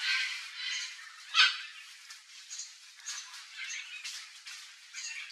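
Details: Wild red-and-green macaw feeding on ripe mango gives a harsh, raspy squawk burst, surrounded by softer scattered high chirps and rustling.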